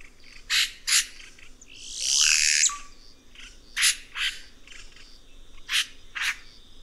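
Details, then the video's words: Red-rumped cacique (Cacicus haemorrhous) singing a series of short harsh rasping notes, about one every half second, broken by a long loud whooshing burst with a falling whistled tail, over a steady high background tone. "Canto do Guaxe"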